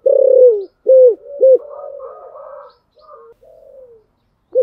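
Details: Spotted dove giving a Thổ Sấm-style coaxing contest coo, used to stir a newly caught bird into cooing: a loud, low, hollow coo, then two short arched notes and softer, rougher murmuring coos that fade away.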